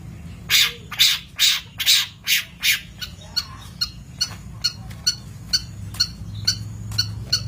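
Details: Long-tailed shrike on a master recording for birds in training: about six loud harsh rasping notes in steady rhythm, followed by a long series of quicker, thin clicking ticks, roughly two per second.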